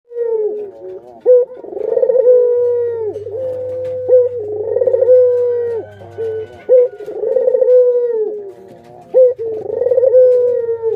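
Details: Adult and young Barbary doves kept as pets give deep rolling coos, each opening with a pulsed, throbbing swell and then a long, steady, slightly falling note. Phrases repeat about every two and a half seconds over a faint low hum.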